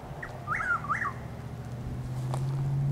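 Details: Chuck-will's-widow calling in the dark around 6:15–6:20 am on 12 April 2023, about six miles southeast of Lake Placid, Highlands County, Florida, in overcast drizzle. One quick whistled phrase: a short clipped note, then two rolling, rising-and-falling notes, over a low hum.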